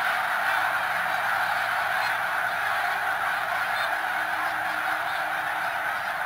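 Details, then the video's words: Snow geese at Middle Creek WMA, Pennsylvania: dense, continuous clamor of a large flock whose honks blend into a steady broadband roar with no pauses. "Snow Geese"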